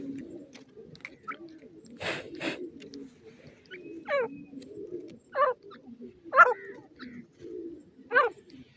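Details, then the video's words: Playful young Teetar (francolin) chicks hopping about; loud, short downward-sweeping chirps every second or so, with soft low cooing and faint chatter underneath. "playful Teetar chicks"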